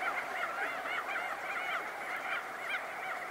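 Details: Crested auklets calling at close range as they emerge from burrows, with wingbeats: a dense, continuous chorus of overlapping nasal, honking and trumpeting calls from many birds.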